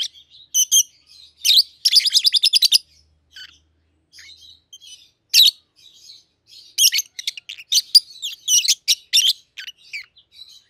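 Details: Two peach-faced lovebirds raised together at home, red-headed green opaline and red-faced dark green, 7-8 months old; a fast rattling run of about a dozen even chirps, then scattered and clustered shrill, buzzy calls.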